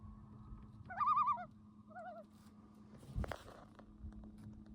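A loon gives a wavering, quavering call of about half a second, then a shorter, lower echo of it. A steady hum and a dull thump follow.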